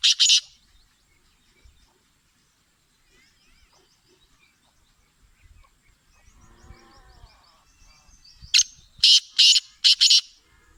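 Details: Kala teetar, the black francolin, in song: a single harsh rasping note opens, faint thin twittering and low murmurs fill the middle, then four loud grating phrases close the passage in a fast rhythmic run.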